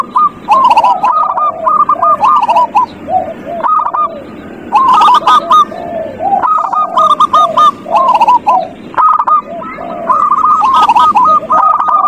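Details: Zebra dove song played as a lure to prompt a reluctant dove to sing: repeated cooing phrases of quick clipped notes running into a rippling trill, about four bursts with softer low coos between and sharp clicks overhead.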